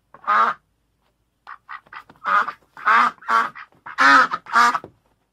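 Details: A single loud nasal quack, a second of quiet, then soft short clucks building into a series of strong, harsh duck quacks.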